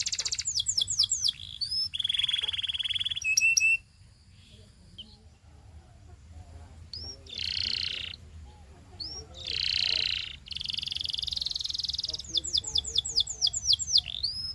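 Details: Canary song for training: bursts of rapid falling notes and a flat whistle, a quieter stretch, two loud buzzy rolls, a sustained trill, then a closing series of quick descending notes.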